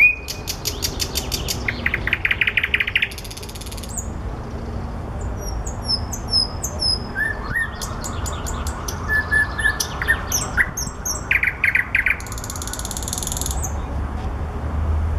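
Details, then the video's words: Common nightingale singing among flowers: varied phrases of rapid repeated notes, buzzy trills and sharp whistled strokes, some high clicking series, with steady background hum. "Соловей поёт в цветах"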